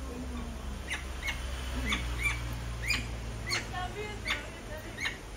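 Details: Red-fronted macaw, a parrot of Bolivian semi-desert mountains, giving short harsh squawks repeated roughly every half to one second over a low steady background hum.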